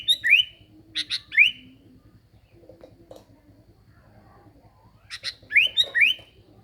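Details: Sooty-headed bulbul (kutilang) used as a lure sound: two bursts of clicking ticks and bright upslurred whistles, separated by about three seconds of near silence with soft low murmurs, over a faint steady hum.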